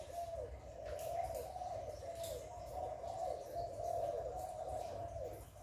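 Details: Spotted dove in the hạp bổi cooing style, used to encourage captive doves to call. Continuous undulating coos run almost without a break, soft and hollow, over a low rumble.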